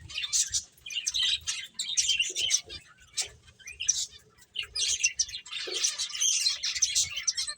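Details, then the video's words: Bursts of high finch chirps alternate with short quiet gaps as the birds play, with a few soft, lower squeaks in between. "Cute Birds Chirping Sounds | Beautiful Finches Playing"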